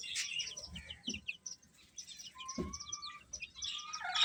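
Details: Baby chickens eating and chirping: dense high, short peeps plus a couple of steadier, lower drawn-out tones and occasional dull pecking knocks.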